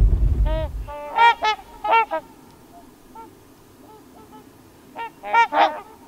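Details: Trumpeter Swans on dark water in low-angle autumn sunlight at Crex Meadows, western Wisconsin; loud nasal trumpet-like honks in irregular bursts, several overlapping, with a brief low rumble at the start and quiet gaps between calls.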